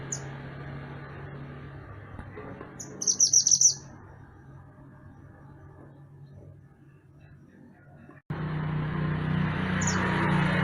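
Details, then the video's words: Mantenan gunung singing in a master recording used to teach songbirds: one brief, high, fast-pulsed trill preceded by a single thin note, then quiet, later a loud band of background noise. "Mantenan Gunung Gacor Burung Masteran Untuk Burung Kicau"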